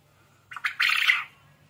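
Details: Caged quail calling actively, a harsh, squawky burst of three quick rasping notes running into a longer grating call lasting under a second, with a faint low hum behind.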